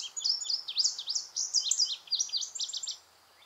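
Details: In Virginia, an Indigo Bunting sings its perched song, a bright, high run of sweet notes, mostly in quick pairs, lasting about three seconds, over faint background hiss.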